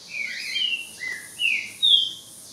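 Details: Ultramarine grosbeak singing at a rival: a short run of four or five pure whistled notes, each a smooth slur or a held tone, growing louder toward the end.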